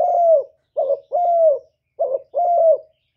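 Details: Spotted dove used as a decoy bird, cooing in a low, mellow voice: a soft two-part coo, a short note then a longer drawn-out one, repeated in a quiet setting with no other sounds.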